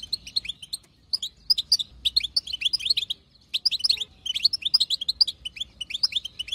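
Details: European goldfinch, a wild female, chattering to encourage a male into song: energetic high twittering phrases of rapid tinkling and buzzy notes, delivered in bursts about a second long with short pauses.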